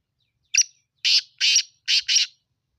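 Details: Black francolin giving a harsh, rasping call of five short notes within about two seconds: a brief clipped opening note, then four broad scratchy bursts loosely paired, separated by clean silence.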